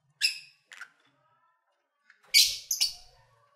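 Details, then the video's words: Pet lovebirds calling during play and feeding: a single piercing chirp, a softer one, then after a pause two loud harsh chirps close together, with faint clicking sounds below. "1 Hour Lovebird Sounds"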